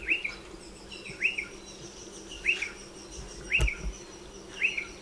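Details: By nesting burrows in a dry stone wall, a striated pardalote repeats a short, high, hooked double chirp roughly once a second, with a sharp click partway through and a faint high tone behind.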